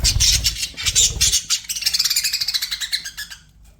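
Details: Pet budgerigars chirping in a rapid run of high, buzzy notes, fast pulsed twittering toward the end, with a low thumping noise in the first second and a half.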